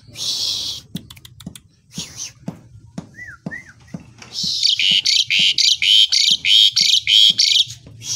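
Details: In the morning, a black-winged starling gives a harsh buzzy burst, two soft wavering whistles, then a long steady series of loud rasping notes repeated about three times a second, with faint ticking behind.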